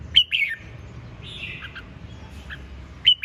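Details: Red-whiskered bulbul singing short, sharp whistled notes with slurred downward endings, a softer buzzy note in the middle, then another bright note at the close; steady low hum behind.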